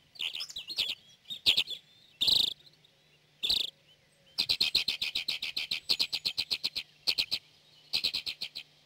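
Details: Alpine Accentor (Prunella collaris), a rare or passage bird in Corrèze, France, giving high, dry chirping calls, first scattered, then a fast run of about twenty trilling notes in quick series.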